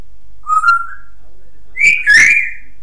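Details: Pet African grey parrot at home: a clear whistled note held for about half a second, then a louder burst of raspy, speech-like sound that ends in rising and falling whistles near the end. The room is otherwise quiet.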